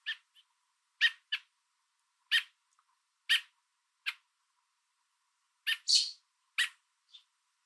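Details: American robin parent perched on a fence in the Niagara area, Southern Ontario, Canada, holding food for its fledgling below, giving loud repetitive calls warning a person to back away: sharp clipped notes, often doubled, every second or so.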